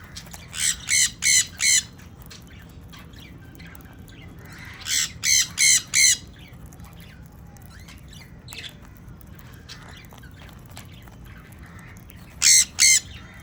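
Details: Sun conure, apparently one of a breeding pair, giving loud, harsh screeching squawks in quick bursts of four or five.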